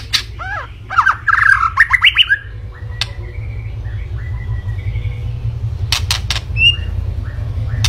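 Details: White-rumped shama pouring out a fast jumble of whistled and rasping notes at first, followed by softer scattered whistles and a few harsh bursts over a steady low rumbling hum.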